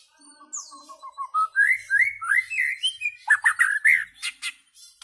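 A white-rumped shama sings a varied, rich phrase: soft low notes climbing into loud, clear whistles, then rapid emphatic chirps at the end.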